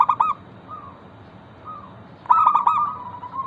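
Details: Local zebra dove used as a lure to set other zebra doves singing, giving short staccato coos and soft single notes, then a longer phrase of quick pulsed coos that slides into a sustained trailing note.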